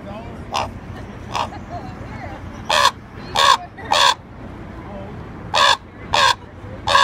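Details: Common raven in Juneau, Alaska, 2 June 2018, giving harsh, hoarse croaks, single or in quick pairs, about eight over seven seconds, the first two fainter, over a low background hum.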